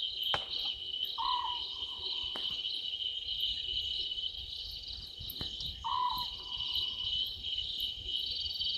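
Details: Owlet calling from a tree at night, 00:38, by a waterhole in Djuma Game Reserve, Sabi Sand, South Africa, 11/12/2023; a short trilled note rises abruptly then holds level, given twice nearly five seconds apart, with crickets shrilling throughout.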